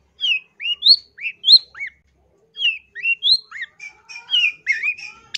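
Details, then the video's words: Loud long-tailed shrike song used as a training recording: a series of whistled notes rising and dropping in pitch, a short gap, then more fluting slurs and rapid chattering notes. "MASTERAN CENDET GACOR SUARA LANTANG"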